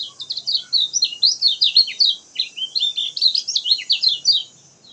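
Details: Lemon-bellied white-eye (kecial kuning) in lively gacor song, used as a lure to get reluctant birds singing: a continuous rapid stream of high, thin, sweeping twittered notes, rising and falling, without pause for five seconds.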